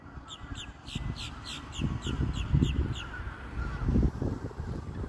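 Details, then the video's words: Black swans during courtship and mating, giving a rapid series of short, harsh, bugling notes with bright overtones, about a dozen in five seconds, over steady low rumbling background noise. "Black Swans, courtship & mating"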